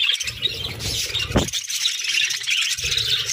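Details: Many pet budgerigars twitter in a continuous high warbling chorus, broken by a brief loud rustle and low thuds.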